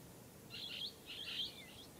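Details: Blue-headed parrot (Pionus) giving two short bursts of shrill, chattering chirps about half a second apart, with a faint upward squeak at the end; quiet background.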